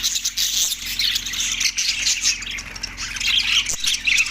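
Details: Loud, continuous budgerigar chatter recorded in Larkana, Sindh on March 14, 2024: many birds trading sharp high chirps, scratchy squawks and thin whistled notes in a dense wash, with a faint low hum and a couple of soft knocks.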